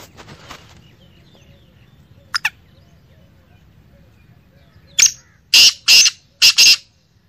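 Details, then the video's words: Female black francolin calling: faint rustle at first, a brief double note, then four loud, harsh, high-pitched grating notes in quick succession near the end. "Kali madi ki masti voice|Black femal voice"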